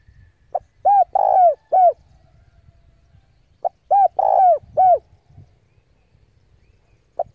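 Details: Decoy spotted dove cooing to draw rivals in to fight: two matching phrases, each a short lead note then three arched coos with a longer rough one in the middle, with a faint low rumble behind.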